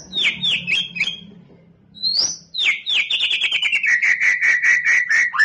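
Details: White-rumped shama being conditioned for a singing contest, pouring out fast repeated downslurred whistles that run into a long rapid train of evenly spaced notes, over a low background hum.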